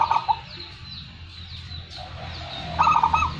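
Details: Local zebra dove, a first-prize contest singer in full voice, giving short rolling, bubbling coos at a mid pitch near the start and again at the end, over steady low background noise.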